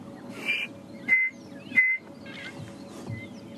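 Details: Chinspot Batis at dawn at Djuma Private Game Reserve on December 29, during a quiet morning, gives clear, pure whistled notes about a second apart, each a touch lower than the last, with drongos and other birds faint behind.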